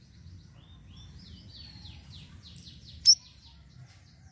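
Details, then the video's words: Sirisiri bird singing to lure other birds: a run of quiet, high, descending whistled notes with one sharp click near the end, over a low steady rumble. "GACOR UNTUK PANCINGAN BURUNG SIRISIRI DENGAN VARIASI SUARANYA"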